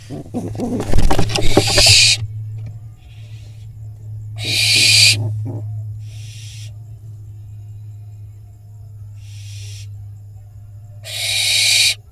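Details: Barn owl fledgling in a nest box in Israel, fighting a pigeon that stays in the box; loud harsh hissing screeches in three bursts a few seconds apart, with scuffling thumps and a steady low hum throughout.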